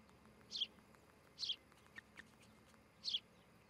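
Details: Osprey at a nest of a breeding pair near Charlo, Montana, morning of 12 July 2018 around 08:00: three short, high, whistled chirps about a second apart, two fainter softer notes between, over steady hiss.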